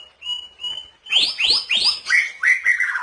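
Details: White-rumped shama song with imitated fills of kapas tembak, canary and cililin, used as a training recording for cage birds: two steady whistles, then a series of loud descending whistled swoops and clear slurred notes.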